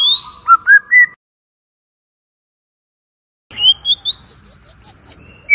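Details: White-rumped shama lure song: a short rising whistled phrase, a pause, then a series of about ten quick high notes climbing gradually in pitch.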